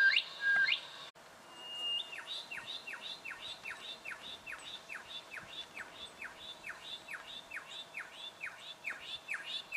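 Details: Juvenile brown goshawk, Victoria, Australia, October 2011: a long, even series of about twenty-five downslurred piping notes, roughly two per second, after a brief louder opening, with faint background hiss.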